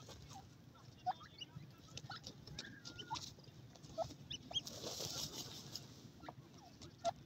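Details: Young francolin chicks playing give sharp single peeps every second or two, with fainter chirps in between, a soft wavering whistle, and a rushing hiss in the middle.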